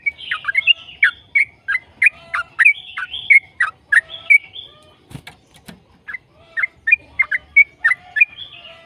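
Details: Long, rolling 'ropel' song from a yellow-vented bulbul, used to draw other bulbuls into song: bright chirped notes repeated about every half second, broken briefly by a couple of clicking knocks.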